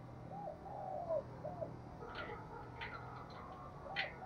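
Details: Spotted dove used as a decoy bird, calling: a faint run of short, low, hooked cooing notes in the first second and a half, then quieter, with brief higher chirps from other birds and background noise.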